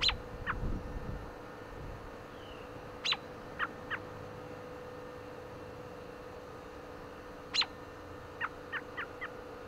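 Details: American robin giving short chirps on a windy day: sharp, high downward-sweeping chirps at about 3 and 7.5 seconds, with softer short notes in between and a run of four quick notes near the end, over a steady wind rumble.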